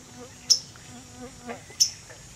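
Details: On 30 July a waterthrush moves about on an overhead branch, giving two sharp, high-pitched chip notes just over a second apart amid soft, low background chatter and rustling.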